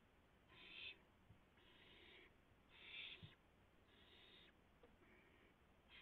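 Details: At 3:38 AM on April 7, 2016, an owl nest receives a rabbit and three owls eat one after another. Five rough, hissing screeches of about half a second, spaced roughly a second apart, over low background rumble and faint knocks.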